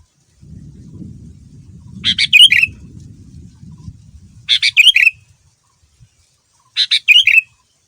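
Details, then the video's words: Sooty-headed bulbul male, singing energetically as a lure meant to make other bulbuls reply. The same bright bubbly phrase repeats three times about every two and a half seconds: quick chirps, then a rolling liquid warble. Low rumble at the start. "Kutilang Super Gacor Full Isian Mahal, Semua Burung Kutilang Ikut Nyaut dengan pancingan ini"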